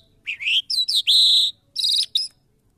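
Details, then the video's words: Lark, locally called jal, in Mashadi-style song: a rising slurred whistle, a quick run of sharp notes, then a long, steady buzzy phrase and two brief clipped notes after a pause. "Lunda Larks Mashadi Jal Singing afghani jal Singing Irani jal Agan Mashadi, صدای آگن مشهدی"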